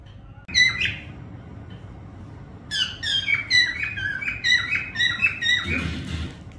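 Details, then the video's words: A single sharp whistle from a parrot. After a quiet gap comes a run of repeated bending whistled notes, ending with a short low bump. "parrot sound whistling"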